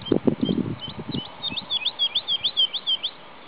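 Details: A singing male woodlark at Sceaux-d'Anjou, Maine-et-Loire, France, recorded 2 July 2009, gives a quickening run of about ten liquid, looping notes, high and sweet; low muffled rumbles or thumps are heard at the start.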